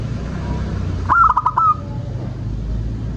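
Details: Lure song of a local zebra dove, meant to set other doves singing: a single phrase of a high opening coo followed by four or five quick, bubbling lower coos ending in a held note, with faint low background rumble.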